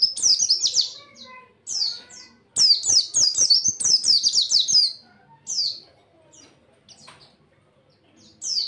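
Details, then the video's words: White-eye song meant as a master recording for tutoring other white-eyes: bright, high whistled phrases in quick trills, a long dense burst in the middle, with faint lower chirps between. "cocok buat masteran burung pleci"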